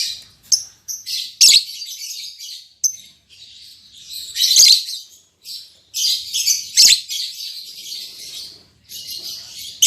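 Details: Lovebird pair recently put together, an albino MM cock and a lutino MM hen, keeping up a stream of harsh, high squeaks and chitters in uneven bursts with short silences.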